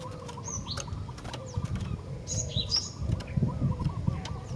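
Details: Chattering female Javan sparrow, calling to males, gives brief high whistled notes in two small bursts, a few dropping in pitch, against steady low-frequency noise and occasional clicks.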